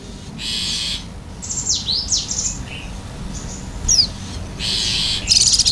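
Oriental white-eye singing high, thin, fast twittering with quick downward-sliding whistles, broken by dense bursts of rapid chatter.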